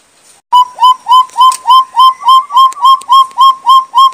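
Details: Red-billed partridge (Arborophila rubrirostris), endemic to Sumatra's Bukit Barisan mountain forests, as a lure call: brief quiet, then loud, evenly spaced whistled notes, each bending up then slightly down, about three and a half per second, eleven in all.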